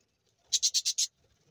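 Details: Baby budgerigar, hungry, producing a quick run of five loud, buzzy rasping pulses in about half a second, with quiet low rustling before and after.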